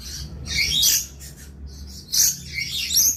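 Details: Lorikeet calling with two loud bouts of shrill, rasping screeches separated by a quieter stretch of soft chatter, over a low background hum.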